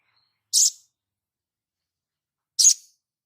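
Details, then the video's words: High crimson sunbird chirps from a training master recording: two short, sharp, very high notes about two seconds apart, isolated in silence. "Dasyatnya MASTERAN INI ‼️SOGON LANGSUNG NGLEPER ‼️"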